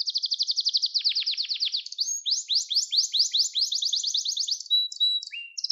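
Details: A Gloster canary sings a training song for young canaries: rapid even trills, then a stretch of quicker sweeping notes, ending in short whistled tones and a falling note, with no other sounds.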